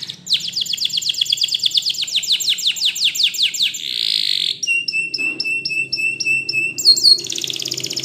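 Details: Belgian canary singing a long rambling phrase: a fast series of descending whistled notes, a brief buzzy roll, then a steady pulsed high trill of clipped notes and another rapid run.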